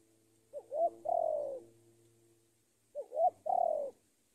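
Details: A spotted dove used as a decoy calls to lure a rival: a pair of phrases, each two brief hooked notes and a long falling burry coo, over a low steady hum.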